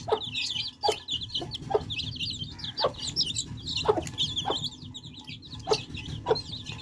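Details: Several thirsty chicks quench their thirst with fresh water, giving continuous high, trilling peeps over a low murmur, broken by sharp pecking taps roughly every second.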